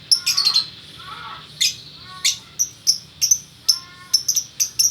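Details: Male and female lovebirds kept as a pair in Bukittinggi, West Sumatra, calling gacor style: rapid bursts of piercing high chirps mixed with harsh raspy notes, repeated irregularly throughout.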